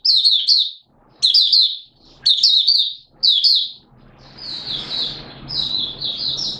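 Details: Singapore, 29 March 2023, warm and humid with sudden showers: a kept Malaysian white-eye gives four loud, high-pitched twittering phrases, then softer warbling over a rising background rumble.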